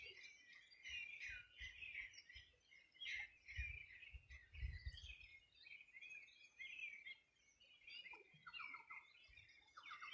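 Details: Riverside birds on a summer morning, 2020, Bueno River, Los Ríos Region, Chile: continuous mixed chorus of chirps, whistles and rapid trills from several birds, with low rumbling bursts in the background.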